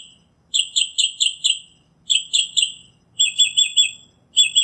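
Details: Northern mockingbird song of repeated notes grouped into short phrases of three to four, with brief gaps, the later phrase shifting to a steadier, even rhythm.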